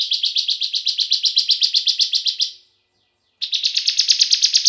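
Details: Singing bar-winged prinia, played as a lure to make other prinias sing: a long rapid series of buzzy high chirps at about five per second, a brief pause, then the series resumes slightly higher-pitched.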